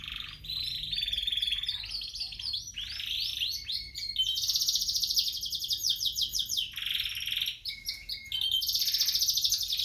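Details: A gray frill back canary and a yellow canary sing a fast, varied song of high whistles and sweeping notes, switching to long rapid trills and rattling rolls.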